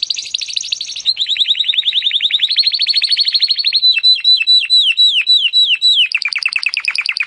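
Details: Timbrado canary singing for song training: long rapid trills of repeated notes, a steady rolling run shifting into deeper drooping notes, then a high fast buzzy trill at the end.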